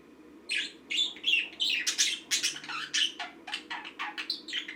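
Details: A green pet budgerigar chatters in quick, scratchy chirps and warbles, about three notes a second, mostly high-pitched, over a low steady hum.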